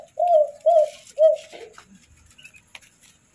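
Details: Spotted dove chicks (tekukur) being hand-fed, giving three drawn-out, wavering mid-pitched whining notes in quick succession, then softer scattered squeaks and faint rustling indoors.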